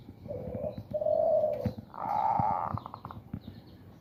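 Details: Zebra dove male in breeding condition in a bamboo cage, coaxed by hand: a low drawn-out coo, a louder sustained one, then a higher rolling note, over a rough background hum and clicks.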